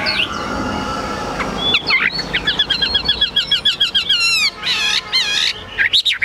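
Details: Chinese hwamei, a caged bird in Vietnam, singing high: after soft noise, a fast series of evenly repeated whistled notes, then loud trilled, rippling phrases and a final sweeping whistle.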